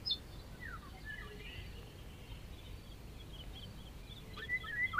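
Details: Eurasian golden oriole singing: faint fluted whistles and short sliding notes early on, then a clearer rising-and-falling whistled phrase in the final half second, over a quiet outdoor background.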